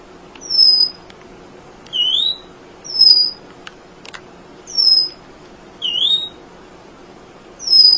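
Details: Emprit munia recorded to train other songbirds: thin, clear whistles repeated roughly every second and a half, alternating high falling notes with lower upslurred ones, plus one faint click.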